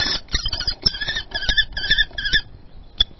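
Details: Peregrine falcon calling at the nest during a prey exchange at Théding, France, on 28 April 2020: a rapid series of about eight harsh, rasping, squeaky notes over two seconds, then a pause and one final call.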